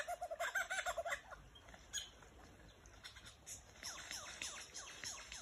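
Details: Lyrebirds in Dandenong, Australia: a rapid burst of rolling, chattering notes for about a second, then a loud crack and a series of thin descending whistles.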